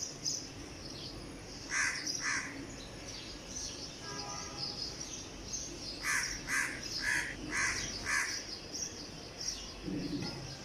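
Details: Crow in Dhaka City, Bangladesh, at dawn on 14 May 2020 during lockdown: two harsh caws, a pause, then a burst of five quick caws, with high chirping of other birds throughout and a low thud near the end.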